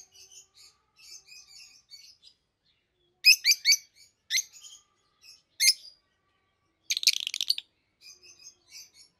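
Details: A pair of hand-raised peach-faced lovebirds aged 7-8 months, a red-headed green opaline and a red-faced dark green, chatter in soft high twitters broken by loud, shrill, harsh shrieks in short bursts, with a rapid screeching run near the end; Rosy-faced lovebird.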